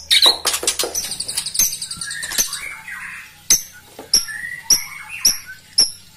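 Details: White-rumped shama song used to provoke rivals: a burst of harsh clicks and chattering notes, then scattered sharp snaps with short high whistles between quieter pauses.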